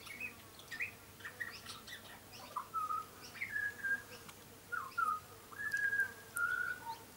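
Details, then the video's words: Young butcherbird, tame and often visiting a garden, singing: a series of clear fluted whistles, some level and some sliding downward, given in uneven phrases with short pauses, over a faint steady hum. "Young Butcher Bird is singing a song"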